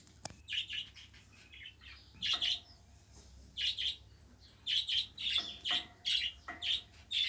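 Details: Pet budgerigars, kept as tame cage birds, giving bursts of short scratchy chirps and warbles, clustered in quick groups with brief pauses between them, in a quiet indoor room.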